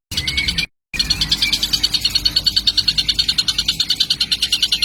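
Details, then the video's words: Juvenile kingfisher, described as a baby already calling persistently: quick grating high-pitched pulses repeated about three times a second, a thin whistle at the start, one abrupt short gap, and low rumbling noise underneath. "Pancingan burung Tengkek {[masih bayi udah gacor brooo..!!!!"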